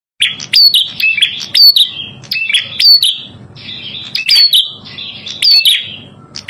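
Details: Red-headed prinia song used as a tutoring and trapping lure recording: high, sharp chirped phrases with quick upslurred whistles, repeated in bursts with short gaps, over a faint low hum.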